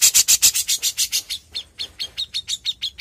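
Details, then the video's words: Young grey-cheeked bulbul singing: a fast series of harsh, rasping notes about five per second, then a run of clearer, sharp whistled chips repeated quickly, with a slight downward flick on each. "CUCAK JENGGOT MUDA GACOR!!"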